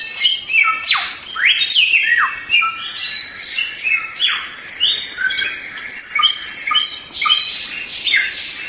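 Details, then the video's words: White-rumped shama singing in a training recording: dense, rapid series of bright whistles and sharp falling sweeps, pulsing in quick phrases throughout with no other sounds. "Masteran Suara Samyong"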